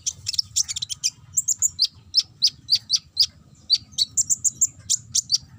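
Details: Sunbird (konin) singing the ngobra chattering style, used as a lure to provoke singing: sharp high tweets and short trills delivered in quick irregular sequence without pause.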